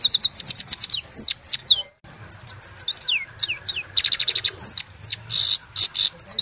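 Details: Recorded by mobile phone at evening, a Himalayan goldfinch delivers quick bright twittering phrases, rhythmic chip series and harsh buzzy bursts, separated by one short silent gap.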